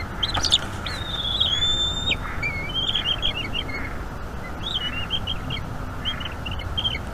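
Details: Eaglet of a bald eagle pair at a North East Florida nest, evening feeding on 5 May 2021: a long thin whistle followed by scattered short squeaky chips in uneven clusters.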